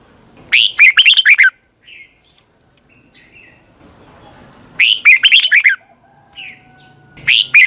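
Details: Red-whiskered bulbul morning training song in a long twisted double-voice style: three bright, rapid warbled phrases, each about a second of quick rising and falling whistled notes, separated by quiet pauses with faint chirps.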